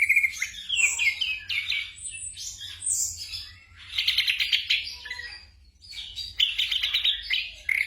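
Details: A black drongo sings for night training of caged birds, a restless mix of sharp whistles, slurred notes and harsh buzzy bursts with short pauses between phrases. A low hum is audible throughout.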